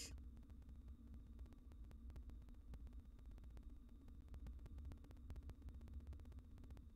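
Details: Quiet low electrical hum with rapid faint ticking clicks throughout; no animal voices.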